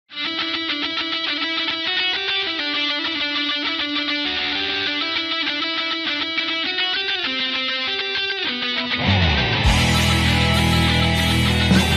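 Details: Electric guitar music with heavy metal chords plays throughout, growing louder and more distorted near the end, and no animal is heard.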